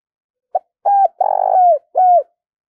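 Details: Spotted dove kept as a decoy bird, cooing vigorously: a short note followed by three low, hollow coos, the middle one longer and slightly rough, ending with a falling tail.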